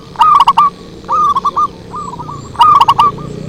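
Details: Zebra dove lure song: loud, clipped bursts of rapid coos with softer rolling cooing phrases in between.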